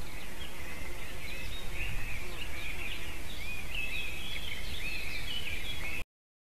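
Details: Wild white-tailed eagle chick at a nest in Latvia, 9:05 AM on 17 June 2019, calling in an almost adult voice as a buzzard flies toward the nest and lands behind it; continuous high, wavering squeals over steady low wind rumble.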